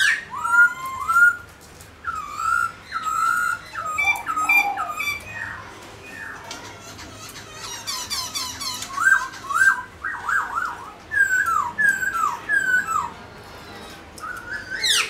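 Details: Caged black-throated laughingthrush singing while dancing indoors, with bursts of varied whistled and squeaky phrases, some slurred and some chattering, separated by short pauses across the recording.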